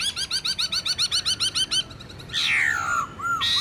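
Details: Black-throated laughingthrush in wild-voice song used to stimulate captive birds: a steady series of quick ringing notes about four a second, then a harsh descending sweep and a couple of clear whistles.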